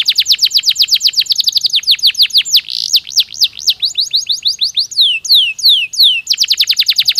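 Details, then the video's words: A canary sings rapid rolling tours of descending whistled notes, shifting between fast trills and slower, wider sweeps, played to encourage breeding activity; a quick trill returns at the end. "تغريد كناري محفز يزيد نشاط الطيور ويجعل موسم التكاثر أكثر نجاحًا"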